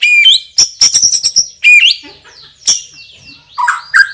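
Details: White-rumped shama, a champion bird with a super spicy song fill and a loud, strong voice, singing rapid bursts of rich whistles and sharp clicking notes, with upslurred and downslurred phrases and a short pause mid-phrase.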